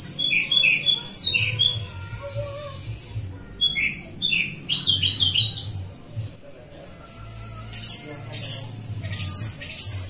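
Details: Female orange-headed thrush whistle used as a lure: one long, thin, high whistle gliding slightly downward, among scattered short chirps and squeaky notes from other birds, with a low hum.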